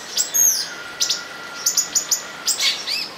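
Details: Olive-green tanager calls while mating at São Bento do Sul: a few thin high squeaks, then a row of four crisp clicks of chirps, ending with curved downslurred notes.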